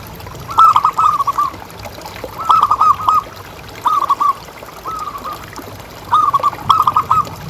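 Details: Zebra dove, a local caged bird with a loud, frequent voice, calling to prompt others. Clear, punchy bursts of rapid, rolling coo notes repeat about every one and a half seconds, each burst short and bouncing.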